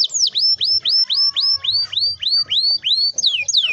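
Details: Canary song used to coax young canaries into singing: clear swooping whistled notes, each dipping and rising, repeated about four times per second, with faint low background hum.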